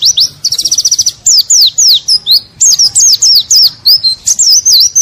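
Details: Loud white-eye song used as a masteran for songbirds: brief buzzy trill, then crisp high whistled slurs and twisting notes repeated in quick succession.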